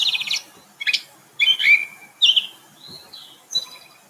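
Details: Gray Catbird singing a jumbled song of melodious, nasal and squeaky notes: short varied phrases of chirps, slurred whistles and squeaks, some rising or falling, separated by brief pauses, clear against a quiet background.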